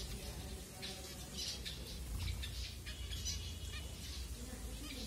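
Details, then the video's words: Several finches calling during food time at Kanyakumari, Tamil Nadu, India, captured by phone camera: a busy stream of brief scratchy chirps and squawks, irregular and overlapping, over a steady low hum. "Finches 🐦Ep#08 Food time"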